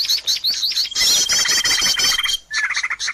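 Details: Lure recording for attracting birds: quick high tweets, then a burst of crowded chatter with one long thin whistled note held through it, a brief pause, then chirps resume.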